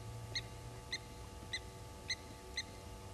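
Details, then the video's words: Blacksmith lapwing alarm while mobbing an African harrier hawk at Gowrie dam, Djuma Game Reserve, South Africa, 07:33, 07/18/19: five loud clipped metallic clinks spaced roughly half a second apart against faint steady hum. "African Harrier Hawk not welcomed by Blacksmith Lapwings"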